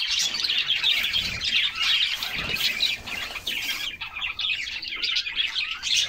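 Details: A group of canaries singing while bathing in summer: dense, continuous high twittering and chirping with quick varied notes, rising and falling throughout, with faint splashing underneath.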